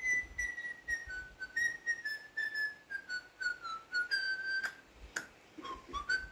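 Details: Pet parrot, yellow, being noisy early in the morning after waking: a steady series of clear, pure whistled notes, held and gently stepping down in pitch, repeated in short phrases, with a few sharp clicks.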